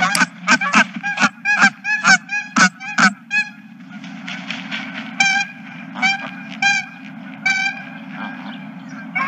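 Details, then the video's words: Goose flock at a ranch, recorded 2023-03-31: a rapid burst of about a dozen loud nasal honks, then quieter, sparser honking with a blur of distant calls, a constant low hum underneath. "Geese and more Geese"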